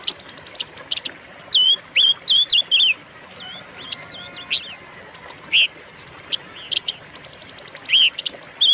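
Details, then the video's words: Silver-eared mesia song for luring and training caged birds: a phrase of four or five looping, slurred whistles, then scattered clicks and a few louder, swooping whistled notes, with a short series of rapid ticks near the end. "pancingan dan masteran suara burung pancawarna"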